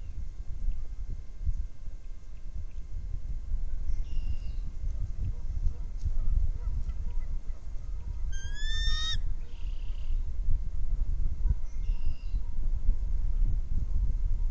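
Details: Bald eagle, one of three birds at a nest watched by a camera, gives a single brief high chittering burst mid-clip, with faint distant squeals before and after against constant wind noise.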